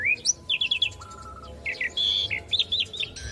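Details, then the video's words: Asian pied starling master song for teaching young birds: varied chattering notes, quick downslurred whistles and a low steady whistle, with short buzzy bursts in quick succession. "Pancingan Jalak Suren Macet Bunyi / Masteran Jalak Suren Muda Agar Cepat Masuk Materi Mudah Di Tiru"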